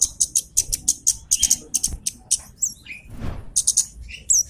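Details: Loud Javan cochoa call used to lure and provoke a rival bird: fast series of shrill, high chips in clusters, broken by short slurred whistles and a brief rustle.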